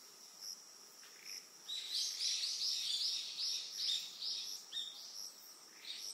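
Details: Yellow wagtail on Amami Oshima, Japan: a quick burst of high, sharp chirping notes in the middle seconds, set against a steady, shrill insect chorus that runs throughout.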